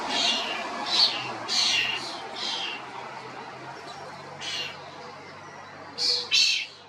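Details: European starling (Sturnus vulgaris) loud calls: short rasping, hissy bursts repeated irregularly, a cluster early on, a pause, then two sharper screeches near the end, with a faint low hum underneath.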